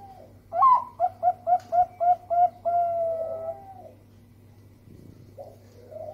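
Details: Melodious Bangkok-type zebra dove lure song, used to prompt other doves to sing: a rising opening coo, then about seven quick, evenly spaced short coos and a long sustained closing note, followed by softer distant cooing over a faint hum.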